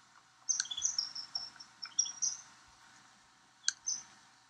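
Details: Snow Bunting in Kananaskis, Alberta, Canada, giving a run of high, thin chirps and twittering notes, with a short burst and a final chirp near the end.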